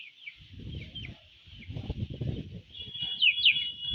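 Chicks peep with high, thin, falling notes, some faint and others loud near the end, over soft low rustling and bumping.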